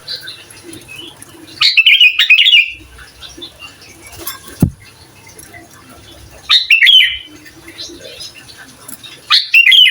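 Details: Sooty-headed bulbul singing lively to provoke other bulbuls, a recording meant for tutoring young birds; three short bubbly, slurred phrases with quiet gaps between them and faint background hiss.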